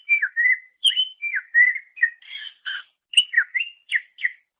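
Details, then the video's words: Master recording of a greater green leafbird, used for training songbirds, giving a continuous varied song of fluid whistles, slurred downward notes and brief chirps in rapid succession, about a note every fraction of a second, on a clean silent background. "Masteran Suara Cucak Ijo"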